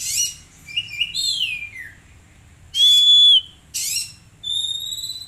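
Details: Young caged Oriental magpie-robin delivering harsh rasping bursts, a falling slurred whistle, one long level whistle, and a final set of thin high sustained notes.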